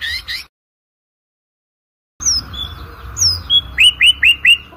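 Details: White-rumped shama song for competition training: a brief high chirp, a gap of silence, then thin descending whistles and a run of five quick rising whistled notes, with background hiss.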